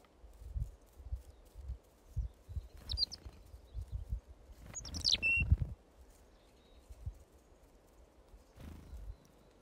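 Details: Skittish wild Western Mountain Chickadees coming in to be fed off-grid; two short bursts of high, thin chirps, one near three seconds and a sharper one near five seconds, over repeated low thumps and rustling close by.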